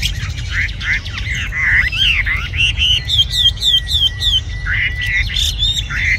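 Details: Red-whiskered bulbul, a caged bird described as singing very well, giving loud, varied whistled phrases that rise and fall with rapid chirps between them, over steady low background hum.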